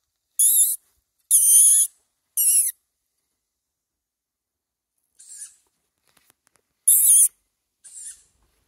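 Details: Young tawny owl begging for food: three strong, harsh, hissing screeches in quick succession, a pause, then softer and louder rasping calls again.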